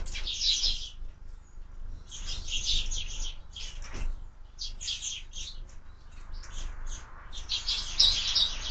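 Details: Sparrow chicks at a window-mounted feeder chirping in bursts of bright, high chatter, with short pauses between clusters and a low background hum.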